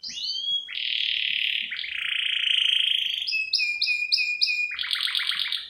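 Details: Female canary luring the male with varied 'cengkok isian' song, used for luring and tutoring: clear whistles, long buzzy rolls, a row of five clipped double notes, then a quick stuttering trill.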